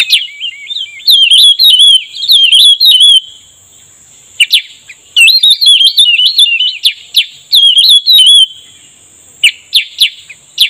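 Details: Black-headed bulbul answering a lure during bird trapping: bursts of bright, warbling, wavering whistles, each phrase about two seconds, separated by short pauses and sharp clicks, with a steady high electronic-like tone throughout.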